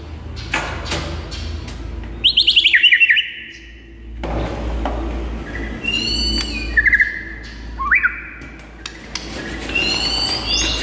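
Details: White-rumped shama singing vigorously in the morning, masteran song used to lure other shamas: high whistled trills, a rapid stuttering phrase and sliding notes in short bursts over a steady low hum and background noise.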